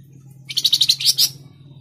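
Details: Flamboyan bird in tledekan jati style, played to prompt caged birds to sing: a quick loud series of about eight sharp, high, buzzy pulses in under a second, steady low hum underneath.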